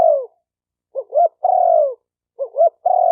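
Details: Spotted dove cooing intended to stimulate male, female and decoy birds. A falling coo is followed by a phrase of two brief rising notes and a long mellow descending note, then the pattern starts again.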